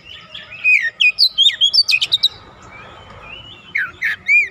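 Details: Oriental magpie-robin, a raw untrained bird joining in with lively song: a quick sequence of about ten bright, bending whistled notes, a quieter gap, then two more loud slurred whistles.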